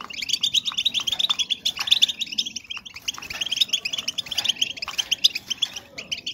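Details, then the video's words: Female European goldfinches calling to stimulate breeding condition in males; dense rapid chirping and twittering notes, many overlapping birds, continuous throughout with bright clustered tweets. "SONIDO HEMBRAS DE JILGUERO PARA AUMENTAR EL CELO DEL JILGUERO"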